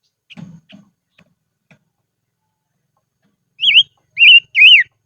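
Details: Decoy silver-eared mesia in the highlands: after faint ticks and low rustles, a short phrase of three loud, undulating whistled notes closes the recording.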